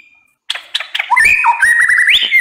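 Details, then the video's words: White-rumped shama, known as murai batu, opening with a few sharp ticks and breaking into a fast run of loud, bright whistles that slide up and down. "MURAI BATU NEMBAK PEDES WAJIB TONTON!"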